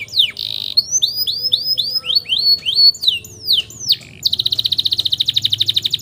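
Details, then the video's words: Long-rolling canary song meant as a master for training young birds: a string of arching whistled notes repeated about three per second, some sharp downward sweeps, then a fast pulsing trill. "KENARI NGEROLL PANJANG UNTUK MASTERAN KENARI PAUD"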